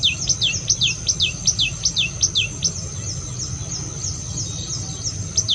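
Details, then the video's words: Sharp, high downward-sweeping chirps repeat rapidly at first, then thin out into softer notes over a constant low hum and a high steady tone. "Wonderful Birds Chirping Sound / Suab Noog Quaj Zoo Heev"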